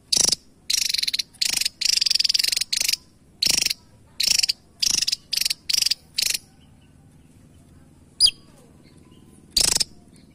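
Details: Javan tesia, a small bird with a sharp voice, giving rapid buzzy rattling bursts high in pitch, each about a third of a second, repeated in quick series with short gaps, plus two sharp single notes.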